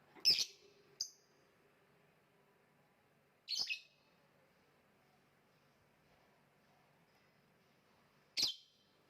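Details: Lovebird giving a few sharp, very high chirps spread far apart, two close together at the start, another near the middle and one near the end, with long quiet gaps and a faint low hum.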